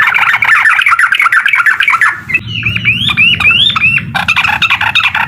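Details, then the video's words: Provoking a rival, a sooty-headed bulbul sings uklik style: a rapid rattle of chattering notes, then a few clear, looping whistled phrases, and finally another quick chattering burst. "SUARA TRUCUKAN UKLIK BIKIN LAWAN EMOSI DAN LATAH!!"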